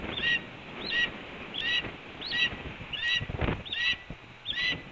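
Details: At a Cornell nest one April 2013 morning, a red-tailed hawk announces food arriving: six clear, bent, piping notes spaced about 0.7 seconds apart, with a low rumbling background and one brief thump.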